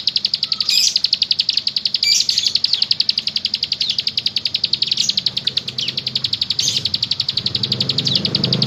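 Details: Bar-winged prinia, called mountain ciblek, singing in full voice with a long, rapid, high-pitched trill of sharp repeated notes about four per second, broken by brief louder accent notes, with faint low background noise.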